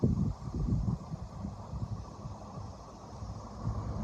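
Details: Low rumbling gusts of wind buffet the microphone outdoors, rising and falling, with no animal calls.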